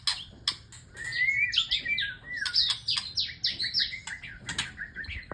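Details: Courting male white-rumped shama pouring out a dense, varied song to a female, with loud sliding whistles, downward-swept notes and crisp clicks in quick succession and no gap between phrases.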